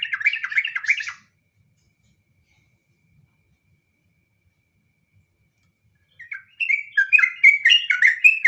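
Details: Yellow-vented bulbul singing a long rapid 'ngropel' song in 'nggaruda' style: a burst of bubbly, chattering whistled notes, then several seconds of silence, then another tumbling run of quick warbled phrases.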